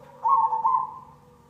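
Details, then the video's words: A single cemani zebra dove coo from a lure recording: a loud, fast-trilled, mellow note lasting about half a second that fades into a soft sustained tail. "Pancingan perkutut cemani"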